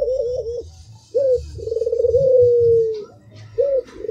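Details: Albino spotted dove cooing in a steady low voice: wavering notes, a short sharp note, then a long pulsed coo that glides downward, followed by another short note.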